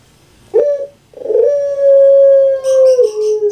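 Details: Puter pelung, a well-kept dove popular in Java, Indonesia: a short sharp kuk, a pause, then a very long even drawn coo held nearly two seconds before dropping lower at the close.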